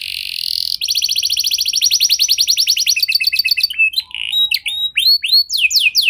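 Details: Canary song meant to get other canaries singing: a long rapid rattling trill slowing into separate whistled slurs and chirps toward the end.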